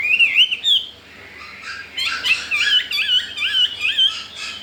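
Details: Chinese hwamei, recently brought home and wanting to breed, utters a few bright whistled upslurs, pauses, then sings wavering looping whistles repeated about twice a second over a soft indoor background.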